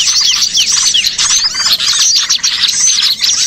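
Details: Lure sound for trapping birds, made of small birds calling at once: quick upslurred and downslurred whistles among dense high chattering, continuous and lively.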